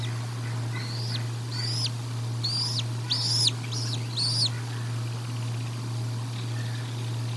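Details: Bald eagle at the Decorah North nest during a feeding, 1 April 2022, recorded by nest camera: a run of six high, sharply arched whistled chirps with harmonics, loudest in the middle, over a constant low electrical hum.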